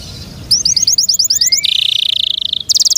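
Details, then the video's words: Canary song from a kept bird: a rapid high trill of short notes, a faint rising whistle, then a long, even, buzzy rolling trill. "PLEASE LISTEN AND ASSESS FOR YOURSELF THE BEST CANARI BIRD"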